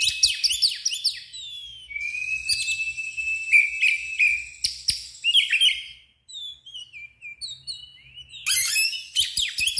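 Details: Oriental magpie-robin in full 'ngeplong' song, agitated with its tail opened: fast, varied run of sweeping whistles, buzzy trills and sharp chirps, about three notes per second, a short gap, then resumed rapid phrases.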